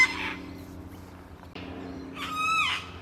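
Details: A Sulphur-crested Cockatoo in Carisbrooke Park, a suburban park with river red gums along the Little Para River in Adelaide, South Australia, gives two harsh alarm screeches, one at the start and a longer one two seconds later, over a low hum.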